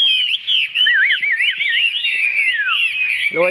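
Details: Chinese hwamei, a caged bird with a big tail, pouring out clear whistled song with wavy, looping rising and falling phrases; a man's voice is heard briefly at the end.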